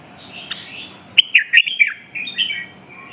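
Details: Red-whiskered bulbul giving a quick run of loud, liquid whistled notes, choppy and slurred, followed by softer warbled phrases, with a low background hum throughout.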